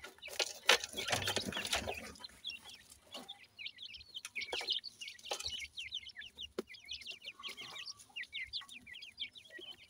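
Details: Young grey francolins (Dakhni teetar) being fed in captivity; a loud rustle opens, then a steady stream of sharp, high, downslurred peeps from several chicks continues throughout.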